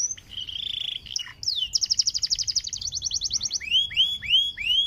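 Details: Panda canary singing to prompt other canaries: a steady whistled tone, then a rapid rattling trill of clipped notes, ending in repeated loud swooping down-slurred whistles, about two per second.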